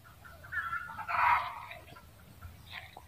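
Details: Short, rising clucks from a red junglefowl lead into one loud, coarse cackle just after one second, fading into quieter notes.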